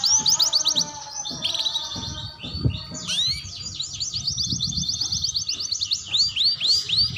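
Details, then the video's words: Young canary learning to sing, a practice song used to prompt other young canaries to start singing; a long, fast warble of high, repeated upswept chirps and buzzy trills, about four notes a second, with a soft low hum beneath. "Suara Kenari Muda Belajar Bunyi"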